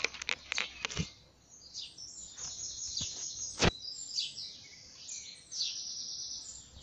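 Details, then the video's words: Birds singing in the morning in nature. High, thin chirps and twittering phrases sound on and off, broken by several sharp clicks or knocks. "canto uccelli al mattino"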